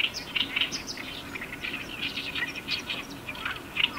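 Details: Oriental reed warblers chatter in harsh, grating bursts of rapid notes, several birds overlapping over faint hiss; recorded 18 May 2021 at Iwakuni, Hiroshima, Japan.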